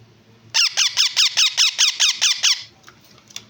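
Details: Yellow ringneck parrot chicks indoors give about ten harsh, rasping squeaks in a steady series, roughly four a second, then go quiet with faint small knocks in a small room.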